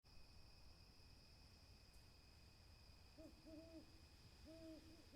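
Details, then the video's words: Owl hooting: after three seconds of quiet, soft hollow hoots arrive in two short bunches of low wavering notes, over a steady thin high-pitched electronic whine. "Owl Hooting"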